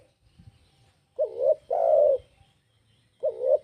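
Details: A spotted dove's cooing: a wavering double note, a long smooth hoot, then the next phrase beginning, all low and mellow against quiet background.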